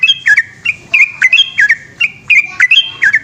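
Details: Yellow-vented bulbul singing a long, rapid 'gacor ropel' song at night: bright, bubbly whistled notes, each jumping up and down in pitch, given in quick continuous runs with a faint low hum beneath.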